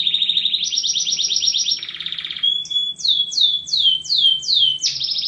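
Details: Canary song opening with a rapid rolled trill that jumps higher, then a brief buzzy passage, followed by a string of clear descending swoops.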